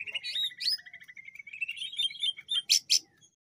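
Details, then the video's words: Greater green leafbird from Banyuwangi, with a jamtrok-style song used to prompt other birds. Fast chattering, twittering notes run along a middle-high line with quick upward flicks, ending in two sharp, loud, high bursts. "Pancingan Full Jamtrok -Ngentrok+Volume+Durasi"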